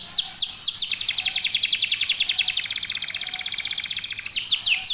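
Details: Domestic local canary, a keen singer used to trigger singing in others: sharp descending whistles open and close a long, very rapid metallic trill, with a faint hum in the background.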